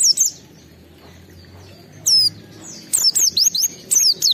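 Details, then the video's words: Home-kept oriental white-eye singing aggressively to challenge rivals: scattered bursts of high, piercing, downslurred whistles, busiest toward the end, separated by quiet gaps. "Uji Mental Pleci di rumah dengan Pleci gacor Full Emosi ini || Tes mental Pleci"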